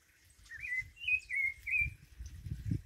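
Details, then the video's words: Thrush singing in a jackfruit tree: a series of clear whistled phrases near the same pitch, about four notes over two seconds, with low rumbling background noise. "Sabiá Cantando na Jaqueira"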